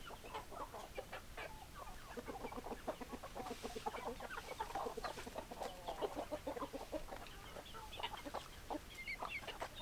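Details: Hens keep up a busy, overlapping chorus of short clucks, a dense stream of rapid notes from several birds against steady background hiss.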